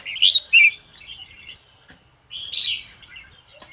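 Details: Red-whiskered bulbul singing in the morning, a recording used to spur other bulbuls to sing: two loud, quick whistled notes, a pause, then a longer bright warbled phrase.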